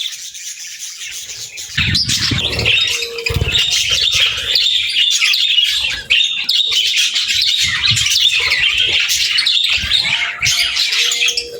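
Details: Chatty budgie pairs exchange a busy, squawky warble of high chirps, rising to full volume after a quieter opening, with a faint steady hum-like tone now and then.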